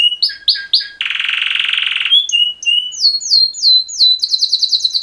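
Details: Male canary mating call song with three double notes, a one-second buzzy roll, slurred whistles, then an accelerating run of high repeated notes.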